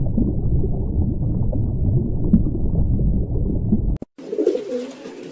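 A pigeon gives low, throaty, rolling coos, muffled by a steady low rumble, before a short break and a clearer burst of cooing.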